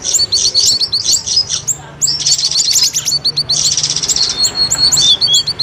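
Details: Streak-eared bulbul chatter used to lure birds for trapping: quick, shrill chirps mixed with short level whistled notes, in busy overlapping bursts with brief pauses.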